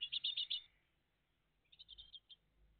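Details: Great tit family at the nest in early morning, June 2023: a loud burst of four quick high chirps, a pause, then a softer, thinner run of chirps.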